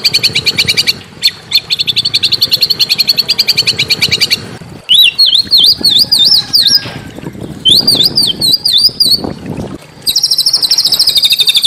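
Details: Small birds used as tutor sounds to provoke a magpie-robin to sing: a fast high trill, then looping up-and-down whistled phrases, and the rapid trill again at the end.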